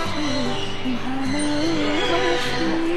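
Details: Music with a sustained melodic line fills the recording, and no animal sound can be picked out.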